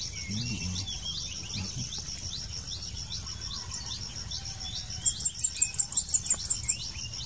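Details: Blue-crowned hanging parrot heard during a luring session for trapping: after five seconds of steady insect buzz, a quick run of about ten sharp, very high, thin notes, evenly spaced and rapid, with faint low rumbling beneath.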